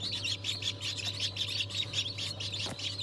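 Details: Chorus of freshly hatched chicks from mixed breeds such as Ayam Cemani, Sultan, Cochin and Wyandotte, 22 January 2023; many shrill peeps overlap continuously above a constant machine-like hum, with one short thud.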